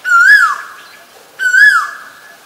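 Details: Asian koel calling: two loud, clear whistled notes, each swelling upward then sliding down, rich in overtones, the second following about 1.4 seconds after the first, against a quiet background.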